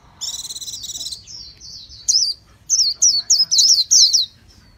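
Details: Loud, high Japanese white-eye song opening with a fast rattling trill, fading into thin whistled slurs, then a burst of rapid twisting, warbled chirps in short clusters.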